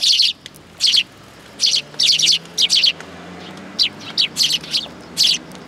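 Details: Eurasian tree sparrows coming to be fed at a Tenmangu shrine on 19 August 2022: loud, sharp chirps in short bursts, repeated at irregular intervals of about half a second to a second, with quiet gaps between.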